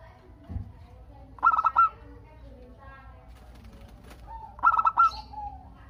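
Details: Local zebra dove in full song to set other doves calling: two bursts of stuttering, purring coo notes about three seconds apart over quiet background cooing and a low thump.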